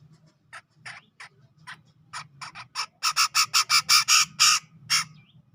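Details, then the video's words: Grey-cheeked bulbul in ngepik song, sourced from Sumatran tropical forest near Medan: scattered soft notes building into a loud accelerating series of harsh, buzzy chattering notes. "Cucak Jenggot Gacor Ngepik"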